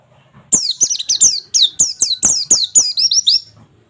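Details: Pleci, the oriental white-eye, delivering its 'nembak' 'wit wit wit' song as training audio to spur birds to sing: an unbroken three-second string of about a dozen piercing, high, down-slurred whistles in rapid succession.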